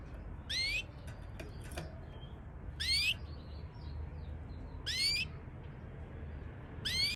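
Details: Two Parisian Frill canaries, a pair, repeat a loud, sharply rising whistled call about every two seconds, with faint short ticks and chirps between calls over low background rumble.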